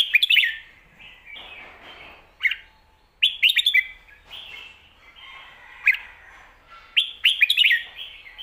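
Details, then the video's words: Competition Red-whiskered Bulbul kept in a cage, delivering 'lak wai' and 'mae bot' song styles: dense runs of quick warbled whistles, fluty drawn-out notes between bursts, and phrases returning every few seconds. "ลากหวาย+แม่บท สลับวางเพลงชัดๆ นกแข่งอาชีพ #นกกรงหัวจุก"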